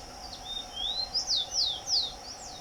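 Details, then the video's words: Song of a Rufous-collared sparrow in the wild: two upslurred whistled notes followed by three bright falling slurs, evenly spaced, against a continuous high insect drone. "TICO TICO soltando a VÓZ na NATUREZA"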